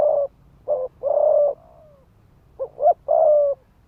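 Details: Decoy spotted dove cooing rapidly, 'thúc gù' style, to stir males to fight: a long coo with a soft descending tail note, then a phrase of two short notes and another long level coo.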